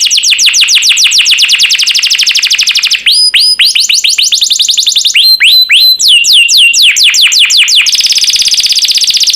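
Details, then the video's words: Canary song used as a master recording for training birds: loud, fast trills of repeated sweeping notes, shifting between several trill types with brief pauses, ending in a dense buzzy roll. "MASTERAN KENARI JUARA"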